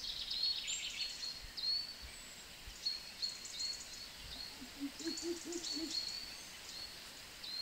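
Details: Song thrush harassing a Ural owl on Monte Nevoso, uttering short, piercing alarm calls in quick series as it dives at the predator; dense high notes throughout, with a few low hollow hoots near the end.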